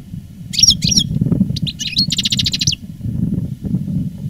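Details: Veteran caged goldfinch of the reclamo song style, recorded live in 2017 after moulting, gives a couple of high twittery notes followed by a fast buzzy rattle of repeated elements, with a low rumbling hum beneath.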